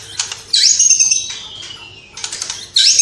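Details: White-rumped shama singing with borrowed calls of sparrow, fighting lovebird and kapas tembak, Cililin: clicking notes, then a bright whistle flowing into a steady high rattle, repeated after a pause.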